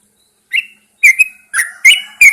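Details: Early-morning song from a caged Yellow-vented Bulbul set outdoors: after a soft opening note, four loud, bright slurred whistles with sharp clicks follow quickly.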